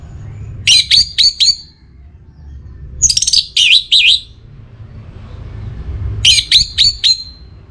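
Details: Orange-headed thrush, a kept bird from North Bali in breeding condition, singing to call a rival: three bursts of rapid, sharp whistled notes, each phrase about a second long with pauses between, over a low background hum.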